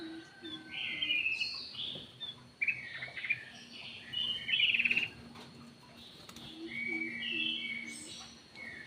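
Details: Lure call of the cucak emas, or ruby-throated bulbul, with busy whistled and trilled phrases over a noticeable hiss of background noise, loudest just before the middle.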